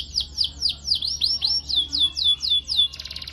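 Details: High canary phrase for teaching young birds: a regular series of swooping V-shaped whistles about four per second, closing with a brief fast buzzy rattle.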